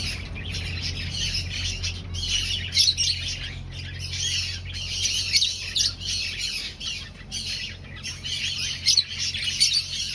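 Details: Finches in an aviary breeding colony, finding a nest, fill the air with dense, continuous high chirping and twittering from many birds at once, rising and falling in bursts with no pause across the recording.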